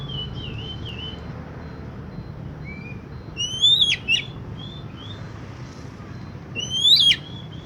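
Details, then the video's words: Oriental magpie-robin song used to prompt another magpie-robin to sing: sparse clear whistled notes, some rising sharply with steep upsweeps, separated by gaps of several seconds, over a steady low rumble of background noise. "Pancingan kacer macet bunyi"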